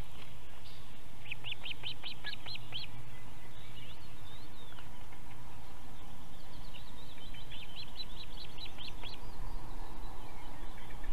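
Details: An osprey at a pair's nest in Võrumaa, South Estonia, near a river, fish farm and military base, gives two bursts of rapid, high, whistled chirps, about ten short notes each, over a steady roar of wind.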